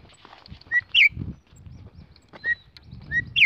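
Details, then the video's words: Female campo troupial call, said to excite any male: short, clear whistled notes, some rising, others buzzy and slurred, spaced irregularly over a few seconds against a low background rumble. "chamado de femea de corrupião esquenta Qualquer macho"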